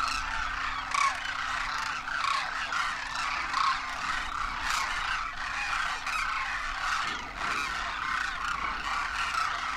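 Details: Wild Demoiselle cranes in huge winter flocks in Rajasthan, India, juveniles among adults, calling as they take off: a dense, unbroken cacophony of overlapping nasal, croaking trumpets from many birds, with a steady low hum underneath.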